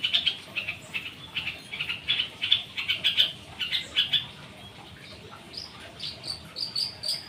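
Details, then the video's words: Long-tailed shrike in full 'rol dot' song responding to another bird used as a lure: fast, harsh chirps in a rolling series, then thinner high whistled notes near the end. "cendet/pentet gacor rol dot pancingan burung lain nyaut"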